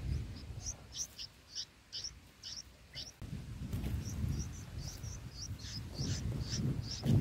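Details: Nestling bulbuls being fed green lizard eggs by adults on day six. They make rapid, thin, high-pitched chirps in steady bursts, with a pause midway, over low background rumble.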